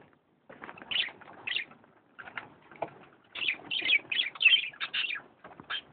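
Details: Canaries recorded in Misiones: bursts of bright chirped notes and short twittering phrases, a quiet pause after the first half-second, then denser clustered chirping near the end over a faint low background rumble.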